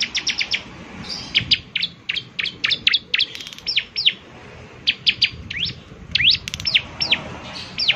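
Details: Actively singing bar-winged prinia (ciblek semi), its distinctive voice said to set other ciblek semi singing; quick high chips and steep down-up sweeps delivered in uneven bursts over a constant low hum.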